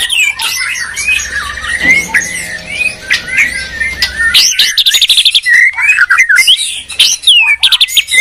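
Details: Shama duel between Medan and Borneo birds: varied whistles and slurs over a faint low hum, followed by rapid staccato bursts and sharp rising notes.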